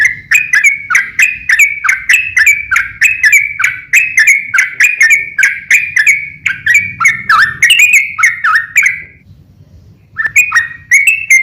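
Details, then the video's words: Sooty-headed bulbul giving a long, rapid lure song meant to provoke other bulbuls to answer: fast rippling chains of bubbly whistled notes for about nine seconds, a brief pause, then the chattering resumes over faint low background rumble. "SUARA trucukan gacor RAJA PIKAT tarung ropel panjang"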